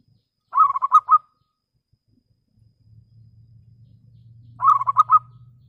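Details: Local zebra dove song meant to provoke rivals into answering: a clear stuttering cooing phrase of four or five quick notes, heard twice about four seconds apart, with a faint low hum between.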